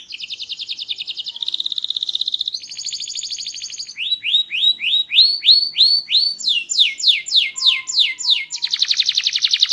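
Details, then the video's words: Small-bodied canary with a loud, melodious, varied song: buzzy high trills shifting into fast repeated downward-sweeping notes, then a rapid slurred series and a final dense buzzy trill. "Burung Kenari Gacor, Body Kecil Suara Keras Merdu Bervariasi"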